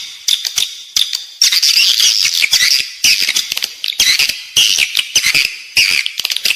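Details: Recorded edible-nest swiftlet calling, meant to draw birds into a building: shrill chirping phrases, some rising and falling, broken by short pauses roughly every second, with crisp ticking clicks.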